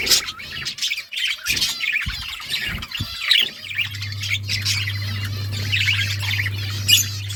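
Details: Several pet budgies produce lively chirps and warbled chatter in clustered bursts, with a few clicks and knocks early on and a steady low hum in the second half.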